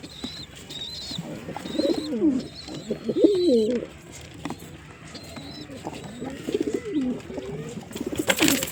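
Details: Low, wavering pigeon coos come in two or three bursts separated by quieter gaps, with faint high chirps early on and a hiss of noise at the end.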